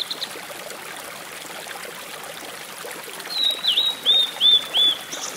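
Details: Blue-and-white flycatcher singing beside a small stream at the Rock Garden on Mount Mitake, Ome, Tokyo, Japan, 14 May 2011; steady trickling water, then a brief phrase of five or six clear, slurred high whistles in quick succession.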